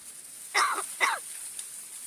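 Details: Talking crow kept by a family in Gargaon, Wada taluka, known for imitating human words, giving two short, harsh, hoarse calls half a second apart, each sliding downward, against faint background hiss.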